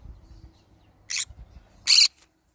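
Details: Green-cheeked conure, pet bird, giving two short harsh squawks, the second louder, over a low rumbling background.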